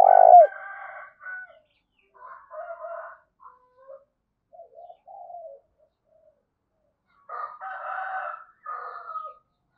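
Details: Spotted dove cooing, thúc and gáy gọi types in the thổ đồng voice: one loud clear coo opens, then scattered softer low notes and a longer rough, layered phrase near the end.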